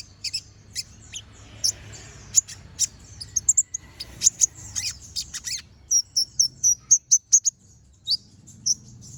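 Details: Brown-throated sunbird delivering gacor ngobra song with sharp tembakan phrases, a master recording for training other birds: strings of very high chips, then a rapid even series of bright ticking notes near the end, light background hiss.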